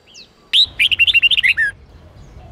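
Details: Red-whiskered bulbul song from a Sông Kôn bird, used for voice training in the 8-9-10 note style. A thin high note, then a bright burst of about ten quick, clear whistled syllables ending in a falling slur, over low background rumble.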